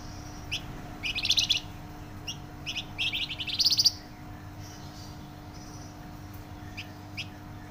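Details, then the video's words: Flamboyan bird singing actively, its voice described as loud and dense: clusters of rapid buzzy, high-pitched pulsed trills and sharp chirps, the densest burst near the middle, then sparse single notes over a steady low hum. "Burung Flamboyan gacor suara nyaring dan rapat"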